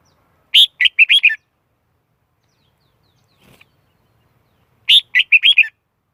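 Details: Red-whiskered bulbul singing as bait for wild birds, noise-free: a rapid five-note cheerful warble, heard twice with roughly four seconds of silence between.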